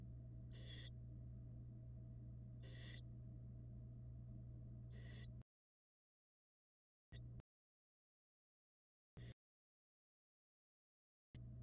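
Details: Barn owl chicks on a nest camera, from eggs laid in January 2022: three rasping hiss bursts roughly two seconds apart, followed by silent gaps broken by brief clipped fragments of the same hissing.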